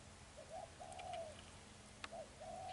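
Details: Spotted dove used as a lure bird for trapping, giving a low earthy cooing style: soft mid-pitched hooting coos, a short note then a longer drawn one, repeated twice, over steady background hiss and a faint click.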